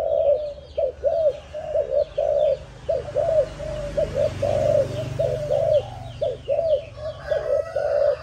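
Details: Choppy, low cooing from a young Malaysian-line spotted dove, seven months old, descended from a stammering decoy bird, with notes tumbling in quick succession, faint chirps from other birds, and a soft low rumble midway.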